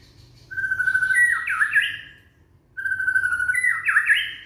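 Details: Indonesian young white-rumped shama singing to stimulate other shamas: two loud whistled phrases about two seconds apart, each a steady note followed by rising, twisting slurred notes.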